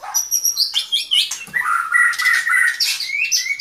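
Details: Continuous song from a white-rumped shama, mixing clear whistles, upslurred notes and harsh chattering elements in a fast, changing sequence.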